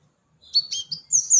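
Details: Gelatik batu, the cinereous tit, calling for a bird lure: a short run of high chirps, a buzzy note, then two rising, whistled notes, clean against near silence.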